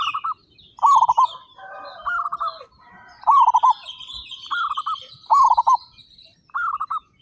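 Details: Thirty-five local zebra doves in full loud song. Seven stuttering, pulsed coo phrases alternate between birds, and a thin drawn-out whistle and other bird chatter lie underneath.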